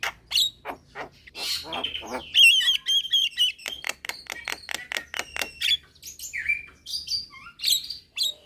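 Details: A young Javan myna calling to other mynas at midday, answered by several birds: loud harsh squawks alternate with rapid clicking notes and buzzy whistled phrases, densely overlapping throughout.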